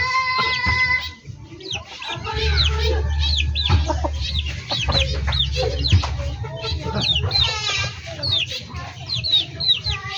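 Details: Backyard poultry flock of chickens, hens and roosters: dense overlapping sharp, high descending peeps repeated rapidly, with a harmonic clucking note early on and a steady low hum underneath.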